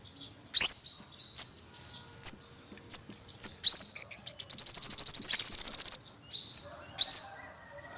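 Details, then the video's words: Olive-backed sunbird calling with thin upslurred chips, breaking into a short rapid rattle-like trill mid-sequence, then returning to single rising notes. "tiếng chim hút mật 5 màu bụng vàng"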